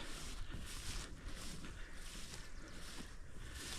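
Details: Gusty wind buffets the microphone in surging waves, with no animal calls.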